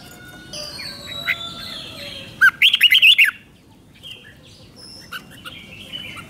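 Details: Red-whiskered bulbul, Thailand, giving one doubled five-syllable song phrase. Soft whistles and chirps from other birds come first, then a sharp burst of six or seven quick warbled notes, then quieter background calls.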